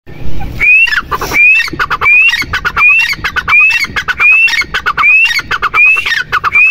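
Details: Teetar, the grey francolin, calling over and over. A sharp rising whistle opens each phrase and is followed by staccato harsh notes, giving about nine phrases in quick succession after a short quiet start.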